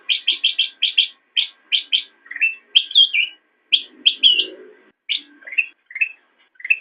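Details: Black-crested bulbul recorded as master audio for teaching cage birds: fast runs of sharp, ringing chirps followed by lower rolling whistled phrases and a brief buzzy chatter in the middle.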